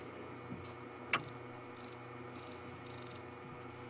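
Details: Long-billed crombec alarm calling, possibly at a snake or small bird of prey, on an afternoon safari drive at Djuma Game Reserve, 21 June 2015: short, high, dry buzzy bursts roughly every half second over a low hum, with one early click.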